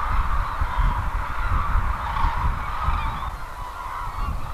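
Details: Wintering cranes at Izumi, Kagoshima Prefecture, Japan, massed together and calling: constant overlapping honks and bugling notes, a few higher calls rising above the din, with rumbling wind underneath.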